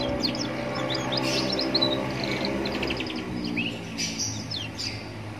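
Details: Young canary by a roadside singing as a lure for other canaries to respond, giving rapid twittering trills and short repeated chirp series, one swooping note near the end, against a busy low background drone.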